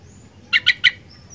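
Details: Sooty-headed bulbul in fighter-style song: three quick, loud, rich bubbly notes packed into under half a second, with faint thin whistles before and after over a low background hum.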